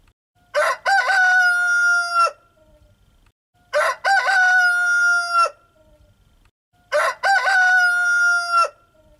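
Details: Three crows from a rooster, evenly spaced about every three seconds, each a brief broken start followed by a sustained, steady, loud crowing note with rich overtones and a sudden stop, near-silence between.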